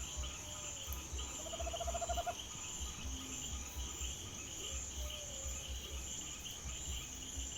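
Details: Tropical Screech-Owl (corujinha-do-mato), a common owl, recorded at night near a house, giving one short quick trill of even low notes midway. A constant shrill insect chorus runs throughout, with faint scattered sounds.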